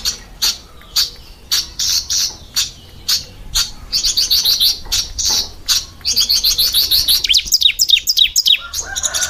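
A Bar-winged Prinia gives sharp, high chirps, first spaced about twice a second, then quickening into rapid, bright bursts of repeated notes.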